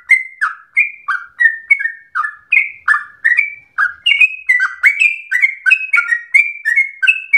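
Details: A yellow-vented bulbul in lively song, a long rapid phrase compared to a straw-headed bulbul: a rapid series of clear downslurred whistles, some paired, flowing continuously for over seven seconds without other noise.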